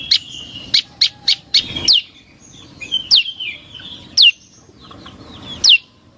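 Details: Prinia, known locally as prenjak lumut, in a lure recording used to draw birds: sharp, high chirps in quick bursts of four to five, then single buzzy notes spaced about a second apart, against a quiet background.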